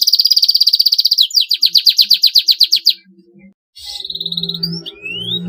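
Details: Canary in extended 'gacor' song said to make rival birds sing back: a long steady high trill, then a slower series of crisp repeated notes, a brief silence, then a sustained buzzy note and rising whistle.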